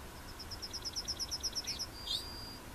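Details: Yellowhammer (Emberiza citrinella) recorded at Plochocin in July 2013: a fast, even series of about thirteen short, high repeated notes, followed by a separate, slightly higher, drawn-out closing note.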